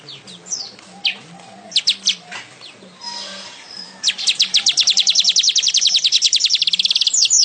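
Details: Weaver (manyar), a lively singer used for tutoring caged songbirds: scattered high chirps and a brief hiss, then a long, fast, accelerating trill of sharp repeated notes lasting over three seconds.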